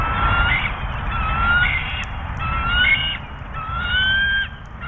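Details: Wild bald eagle pair at the U.S. Steel nest incubating two eggs, dated 05/03/2024, with carrion of a furry animal brought for the female; four loud, rising, harmonic whistled calls, each about a second long, over steady wind rumble.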